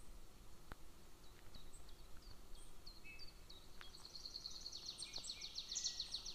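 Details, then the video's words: Young golden eagle at its nest beside a military training ground, 22 June 2024: scattered thin high chirps build into a fast, dense run of squeaky notes near the end, with faint clicks and low background rumble. "Golden Eagle | Little eaglet sorrows the whole long bone"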